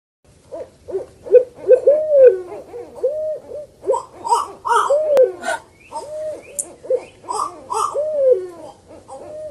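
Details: Owl call used as a lure for birds: mellow, arched hooting notes repeated in irregular runs, mixed with brighter, higher chattering bursts.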